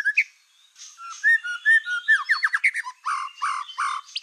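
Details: Black-tailed white-rumped shama in full, lively song, used as a lure to provoke other shamas into singing: varied clear whistles, then rapid slurred notes and loud, buzzy, stuttered phrases repeated several times, with short pauses between bursts.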